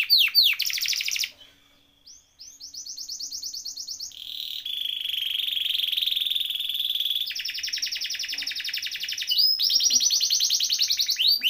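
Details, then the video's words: Canary song in long rolling trills, with a brief pause early on, then a sustained vibrating roll and fast high buzzy trills that change pitch between sections, ending in quick sweeping notes. "Kenari Gacor Ngeroll Isian Masteran atau Pancingan Kenari Riwikan atau Kenari yang Macet Bunyi"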